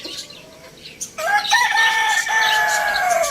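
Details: Rooster crowing loudly: a long, drawn-out harmonic crow that starts abruptly, holds a steady nasal tone with a slight rise and fall, and runs to the end, over high chirping of small birds in the background.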